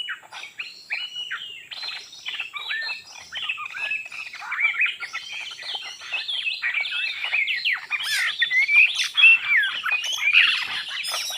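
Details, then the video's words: Oriental magpie-robin singing: a rapid, varied stream of sweet whistles, slurred chirps and twittering notes, growing louder and denser toward the end, with no other clear sounds. "pikat burung Kacer ganas gila mantap jiwa"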